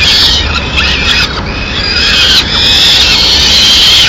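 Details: Peregrine falcon chicks in Madrid beg loudly at mid-morning while the female brings a small bird; rasping high calls, some sliding downward, others held as thin whining notes.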